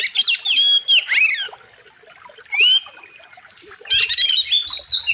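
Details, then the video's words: Oriental magpie-robin singing loudly, sharp and full of varied fills, with a wild river setting. Bursts of high whistled, rising and falling notes and rapid trills come in phrases around half a second long, with quieter gaps between them. "Masteran Kacer Gacor Tajam Full Isian"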